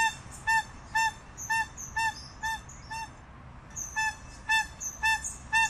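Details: Crested guan song in two bursts of loud, nasal honks separated by a softer stretch around the third second, with high chirps from other birds in the background.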